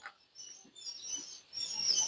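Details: Quail chicks one day old in a farm brooder, a chorus of faint, high, thin cheeps drawn out and overlapping, growing busier toward the end, with little other noise.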